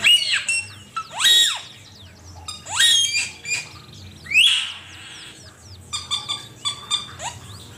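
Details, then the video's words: Training master recording of an Asian pied starling: irregular loud bursts of rising and falling whistles mixed with rough, scratchy notes roughly every one and a half seconds, ending in a quick series of short clicks. "Suara burung cucak keling masteran jitu 100%"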